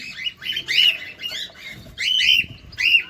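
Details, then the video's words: Cockatiel seen feeding close up, giving loud, squawky harmonic calls, several drawn-out notes strung together with short pauses. "Cockatiel bird.Feeding close up! II কোকাটেল পাখি"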